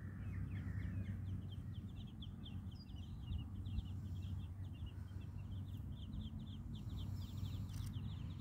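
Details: Muscovy ducklings giving a steady stream of thin, high peeps, many short chirps in quick succession that run almost the whole time, over a constant low rumbling background noise.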